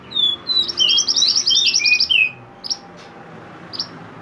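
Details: Mantenan bird, described as mountain mantenan singing actively, recorded as a tutor song for training songbirds: a rapid run of high whistled and trilled notes, some rising and some falling, then two short sharp chirps after a pause.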